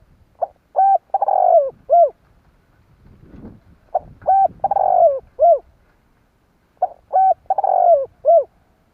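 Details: Spotted dove calling to attract wild birds, used as a lure. Phrases of several hooting coos with a long descending middle note, repeated about every three seconds; three phrases, clean with no other sounds.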